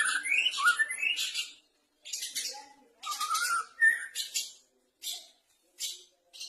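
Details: White-rumped shama, a caged bird practising its singing: rapid varied phrases of rising whistles mixed with dense, harsh high-pitched chatter, delivered in bursts separated by short pauses.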